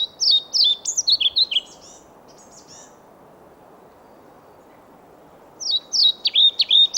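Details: Two bright, high-pitched song phrases from a male European pied flycatcher singing to a female in Sweden, each a rapid string of seesawing notes, separated by about four seconds of quiet.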